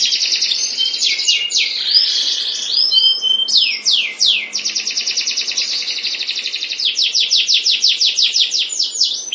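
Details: Canary breeding pair singing: continuous high trills and rolling chirps, fast repeated notes running in long rattling series throughout.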